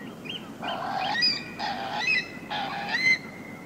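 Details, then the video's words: A Eurasian curlew gives three harsh, hoarse, grating calls about a second apart, described as untypical. Thin whistles from other shorebirds sound behind, in a recording that also holds oystercatcher, redshank, gulls and snipe. "Curlew. MCU Hoarse Calls (Untypical)"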